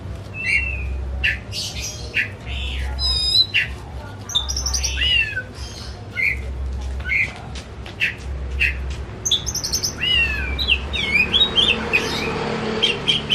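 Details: White-rumped shama kept at home purely as a hobby, song used to make a silent shama open its beak and sing: varied whistles, rising slurs, harsh rattles and sharp clicks, with low hum and some noise near the end.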